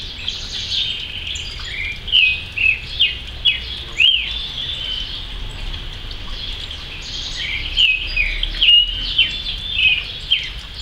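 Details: Creamy-bellied thrush (Turdus amaurochalinus) singing short, slurred whistled phrases in two bursts on a rainy October morning, over a steady background hiss of rain or insects.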